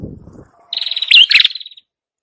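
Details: Prinia (prenjak kepala merah) gives a single buzzy, rapidly pulsed phrase with a bright whistled accent in the middle, after a brief low rumble at the start; a lure recording.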